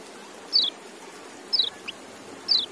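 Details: Three high, sharp, descending notes from a white-eye (kecial) spaced roughly one second apart, each brief and slightly buzzy, against faint hiss.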